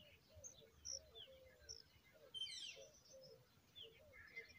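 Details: Hungry familiar chat (Oenanthe familiaris) chicks beg while the adults feed them, giving thin, high chirps and a burst of harsh, scratchy begging notes, with soft low twitters scattered between.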